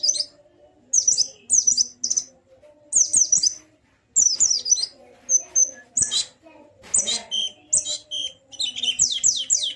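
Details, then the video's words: White-eye singing, meant to set off a silent bird singing and opening its beak. Repeated short bursts of high, sharp twitters build into a denser chattering run at the end, with a low hum underneath. "Burung Pleci macet pasti langsung ikut ngalas dan buka paruh"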